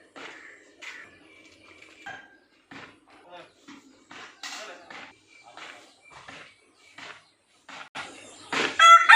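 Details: A village rooster gives scattered short, gravelly clucks, then a loud, harsh crow bursts out at the very end.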